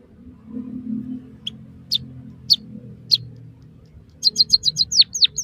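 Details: Song of a white-headed munia, used as a training recording for captive birds. Spaced single sharp chirps lead into a fast burst of high ticks, which ends in steeply falling whistled notes. A low background hum is present.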